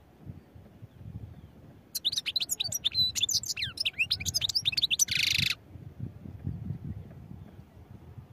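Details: Goldfinch song beginning after two seconds of quiet: fast tinkling twitters and looping slurred notes for about three seconds, closing with a harsh buzzy rasp before falling silent.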